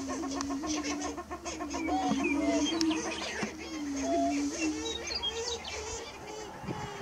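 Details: Greater prairie chickens, 30 March 2018 near dawn: a low humming drone under a busy chatter of rising and falling cackles, with a steady faint hiss and scattered high bird notes.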